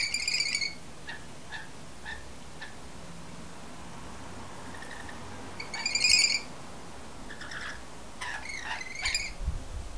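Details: Two rainbow lorikeets, a bonded pair, feeding each other by regurgitation on a window sill near sunset: loud harsh rasping screeches at the start and middle, with clipped nasal chatter notes between and a burst of chattering near the end.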